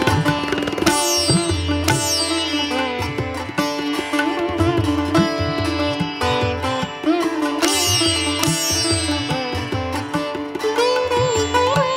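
Plucked sitar music plays throughout, with drone strings and melodic runs, and no animal voice can be picked out.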